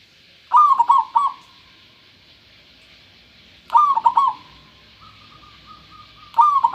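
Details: Local zebra dove with a clear voice, giving its cooing song: a quick burst of soft, rolling, stuttering coos in a short phrase, repeated about every three seconds, with a faint steady hiss behind.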